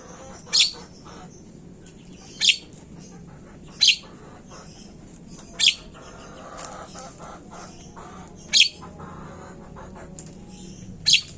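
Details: Javan myna used as a calling lure: a series of seven loud, scratchy, hissing bursts repeated every one to two seconds, with soft background chatter.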